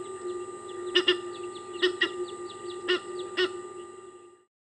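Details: Egyptian geese battling to retain territory at Kwa Maritane: several loud, harsh honks in pairs and singles, with faint twittering between them and a steady low hum, ending in silence.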